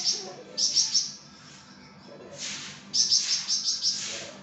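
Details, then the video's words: Flamboyan bird singing actively, a tutor recording for training other songbirds: two bursts of rapid, bright, high chirps, about five notes each, separated by a quieter gap with faint lower twitters. "𝗯𝘂𝗿𝘂𝗻𝗴 𝗳𝗹𝗮𝗺𝗯𝗼𝘆𝗮𝗻 | 𝗳𝗹𝗮𝗺𝗯𝗼𝘆𝗮𝗻 𝗴𝗮𝗰𝗼𝗿 | masteran flamboyan"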